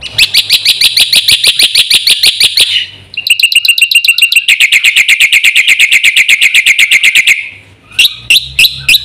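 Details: Caged black-winged myna singing in full, varied voice, meant as lure and training sound for other caged birds: a fast run of sharp, high repeated notes, a brief pause, then a longer string of buzzy chirps around three seconds, ending in separate notes.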